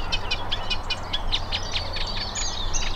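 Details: A Eurasian reed warbler, a returning summer visitor, sings nonstop in spring at Drakelow reserve, Derbyshire, a steady run of scratchy, chattering notes, each repeated two or three times at a brisk pace, over a low rumble of wind or distant traffic.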